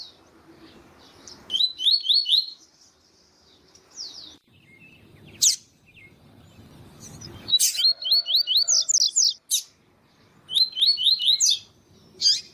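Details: Double-collared seedeaters (Sporophila caerulescens), a singing male and a calling female: high, quick twittering phrases about a second long, repeated every few seconds, with sharp chips between.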